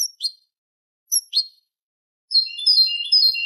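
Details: Eurasian goldfinch on a Manolo-style Malaga copla tutor recording for young goldfinches and hybrids. Two short high chirps, a brief pause, then a run of thin, sliding twittering notes.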